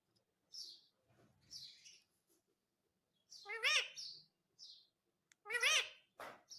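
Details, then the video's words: Indian ringneck parrot talking; soft high chirps alternate with two loud, rippling, voice-like phrases about two seconds apart, ending with a harsh squawk. "Natural Sound of Talking Ringneck Parrot"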